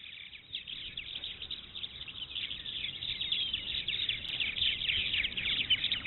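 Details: Purple martins near the Maurice River: dense, continuous chattering and chirping from many birds at once, a steady high busy warble with no clear pauses, somewhat distant.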